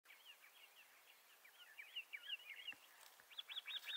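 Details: Bendire's thrasher, a southwestern United States and northwestern Mexico species, singing a faint, continuous warble of short twisting notes around the mid-high range, growing louder and choppier toward the end over steady background hiss.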